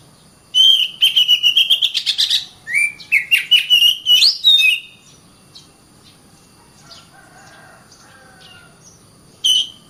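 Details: Oriental magpie-robin singing densely. A long buzzy rattling trill leads into a string of rapid whistled slurs and flicks, then near silence, then one final loud burst.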